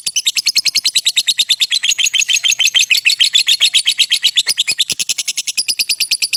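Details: Lovebird giving a long ngekek trill used as a master recording for training: rapid high chattering notes, about three per second in bursts, continuous and evenly pulsed throughout.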